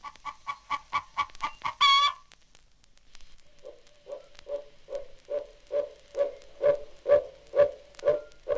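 Chicken clucks in quick runs of about two per second, a first burst ending in a drawn-out squawk, then a lower, steady series growing louder.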